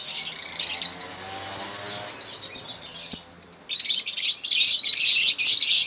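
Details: Lovebirds chatter in a continuous stream of very high, shrill chirps and twitters, growing denser and harsher toward the end.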